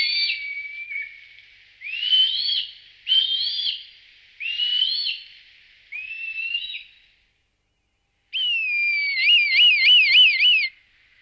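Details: A red kite in La Moraña and Tierra de Arévalo gives thin, mewing whistles about every second and a half, ending in a long, quavering, warbled whistle, with no other sounds.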